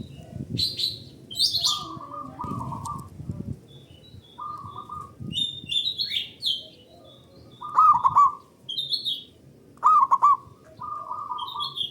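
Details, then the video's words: Local Indonesian zebra dove singing as a lure to stir other doves into song: several low rolling, trilled cooing phrases, each about a second long, with brief bubbling bursts. Higher chirps and whistles from other small birds sound in between. "Pancingan Burung Perkutut Lokal Gacor Dor Bersaut Sautan $uara Keras Panjang"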